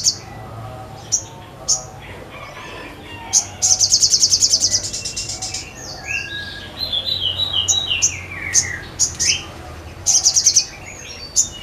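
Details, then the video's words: Vigorous crested jay song: isolated sharp high clicks, then a long buzzing rattle of rapid ticks, followed by a run of descending and rising whistled slurs, and more clicks and short rattles later. "SOGON GACOR MANTAP"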